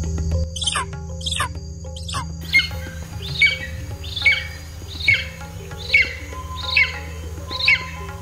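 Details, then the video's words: Golden eagle call, described as lower in tone: after a few quick high chirps, a steady series of seven downslurred yelping notes about once every 0.9 seconds, each sharp onset falling away, with faint background music. "Ang golden eagle o scientific name Aquila chrysaetos naman ay may mas mababang tono at ganito."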